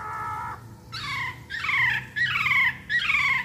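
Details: Masked laughingthrush song used as a lure to make other birds sing: a low whistled phrase, then four loud descending slurred notes with a bright whistled top, each about half a second apart, over a faint low hum.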